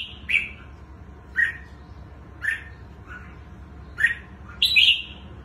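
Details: Red-whiskered bulbul, a bổi bird with long fine plumage, singing spaced short whistled notes roughly once a second, each a quick slurred chirp, the last phrase louder and fuller; low steady background hum.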